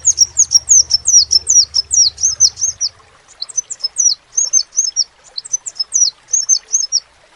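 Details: Crimson sunbird, known locally as sepah raja, singing vigorously: a rapid series of very high, thin, down-slurred whistled notes, about two per second, in two bursts with a short pause, over a low hum that fades halfway.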